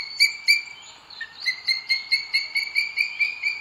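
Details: Booted eagle pair at a nest in Spain's Sierra de Guadarrama on 2 June 2022 as the male delivers food to the female; loud, piercing, repeated notes, two sharp ones then a steady quick series of bright calls, from a nest webcam.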